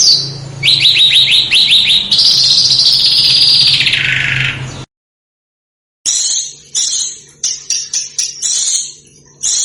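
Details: Small bird on a master track for teaching cage birds sharp phrases: a run of quick high notes leading into a long sweeping whistle that slides downward, then choppy high chirps after a pause, with a low hum.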